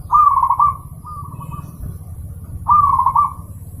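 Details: Perkutut (zebra dove) song recorded as a clear, lively master for training pet birds: a quick run of bubbly coos, then a softer echoing phrase, and a new loud run near the end, with low background hum.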